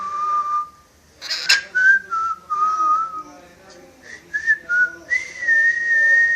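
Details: Shy pet parrot that whistles tunes and wolf whistles. A long level whistle, a short noisy burst, then a series of falling whistled notes and short whistles before a long sustained higher tone.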